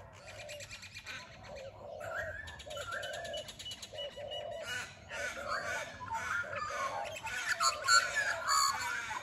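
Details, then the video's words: Early-morning bird chorus around 6am on an Australian suburban street: Australian magpies, grey and Indian mynas, turtle doves, crows and rainbow lorikeets. Steady low cooing beneath bright chirps, trills and sharp whistles growing louder. "early morning bird calls"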